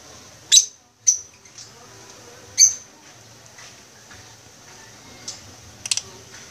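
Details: ['Aviary-kept masked lovebirds, green wild form, utter a few sharp, piercing chirps at irregular intervals, with two quick squeaks near the end over a quiet background hum.']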